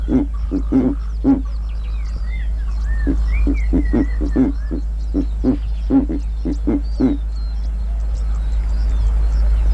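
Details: Deep, resonant grunt series from a giant eagle-owl in Kruger National Park, delivered in rhythmic bursts of several notes with brief gaps. Whistled, slurred notes of other birds are clearly heard behind it.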